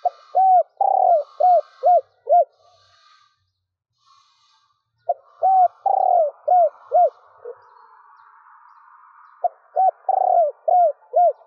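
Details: Female spotted dove cooing to excite males into calling, a stuttering three-ending coo: three phrases of short arched hooting notes with a longer burred note near the start, each phrase about two seconds, separated by quiet gaps.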